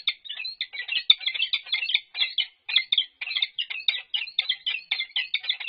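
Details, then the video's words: Nest-box courtship between a female peregrine falcon and an unbanded male at UC Berkeley, 1 April 2022; steady stream of grating, chirring chatter notes, several per second, one brief break midway. "Annie and Unbanded Male Courtship in Nest Box"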